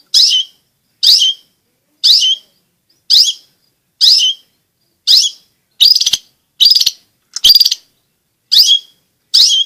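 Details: Long-tailed shrike vocalising, used to provoke silent shrikes to sing and to tutor young birds; harsh rasping notes repeated about once a second, ten in all.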